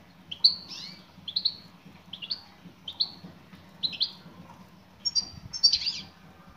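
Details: Female European goldfinch giving its call to a male: a steady series of short high chirps, mostly one or two notes each, repeated about once a second, ending in a denser twittering burst.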